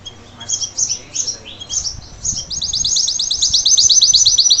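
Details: Salsa canary singing for its young to learn from: scattered high chirping phrases, then a quick rolling trill of evenly repeated high notes building louder; faint low background noise.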